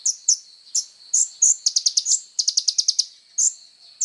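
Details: Van Hasselt's sunbird, called kolibri ninja, in lively 'tonjolan' song meant for tutoring other songbirds: high piercing chirps spaced out at first, then two quick rattling bursts of rapid notes and more single chirps.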